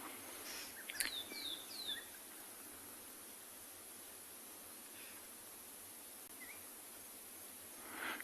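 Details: Fork-tailed Drongo in the afternoon at a South African game reserve, becoming active near a leopard kill, gives a quick burst of sharp, metallic notes that slide downward, then a few faint chips over steady background hiss.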